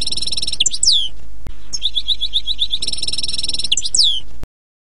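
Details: Goldfinch sorties for learning the bird's song: two matching phrases of fine high trills ending in sweeping downslurred whistles, separated by stuttering twitters, over steady low background noise.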